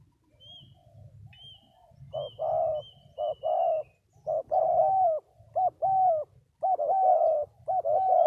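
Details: Spotted dove cooing in husky two- and three-note phrases that build in loudness, while another bird gives high thin drawn-out whistles and low rumbling noise runs beneath.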